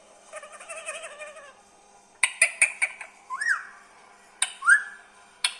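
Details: A pet green parrot, said to be talking, gives a buzzy, wavering voice-like phrase, then a run of sharp clicks and two quick upswept whistles.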